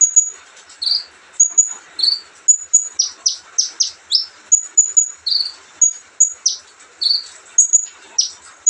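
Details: A relaxed olive-backed sunbird delivers bright high whistled pips, buzzy upslurred notes and a fast run of steep descending strokes, repeated in a continuous cheerful flow.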